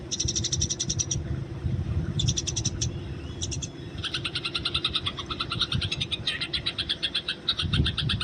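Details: Eurasian tree sparrow in the wild, tagged as fighting: short bursts of rapid high chirps, then a longer, busier chatter with lower and higher notes mixed, over constant low background noise.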